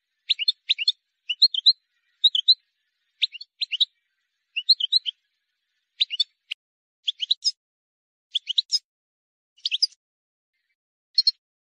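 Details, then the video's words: Wild European goldfinch singing a song meant for teaching young birds, delivered as short clusters of bright twittering notes at regular intervals, each burst a quick mix of high chirps and trills, with clean silence between phrases. "غناء حسون بري خالي من الاخطاء لتسميع الفراخ"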